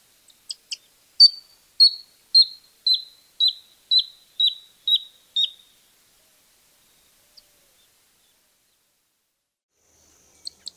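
A Freckle-breasted Thornbird gives a series of about nine sharp, high notes, each slightly lower than the last, in a steady run lasting four seconds.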